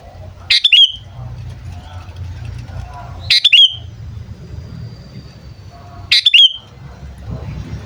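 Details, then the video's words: Captive sooty-headed bulbul calling as a lure for wild birds during bird training. Three short, bright chattering bursts come roughly every three seconds, with a low rumble of traffic underneath. "Suara Burung Kutilang Memanggil Sekali Dengar Langsung Ikutan Bunyi"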